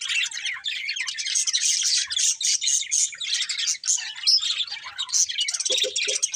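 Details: Breeding pair of colourful budgerigars chirping nonstop: hurried twittering of scratchy, buzzy notes mixed with sharper whistled chips, ending with a few lower squawky calls.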